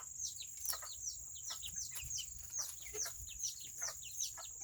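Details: Serama chickens, the world's smallest chicken breed, on a rainy Saturday, giving a busy run of short, high, downslurred chirps several times a second, some overlapping, with a steady high whine and rain-like hiss behind.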